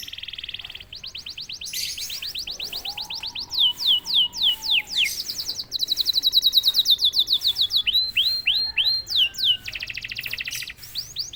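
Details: Canary singing after being prompted out of silence: buzzy trills alternating with runs of falling whistled notes, a long dense rattle, a set of rising upslurs, and a final buzz, with a faint lower whistle audible midway.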